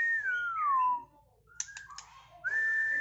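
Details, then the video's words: Caged white-rumped shama at a bird contest gives a long, loud, descending whistle, then quick clicks and short notes, closing on a sustained rising whistle. "MB MEDAN calon GACO di GANTANGAN LOMBA"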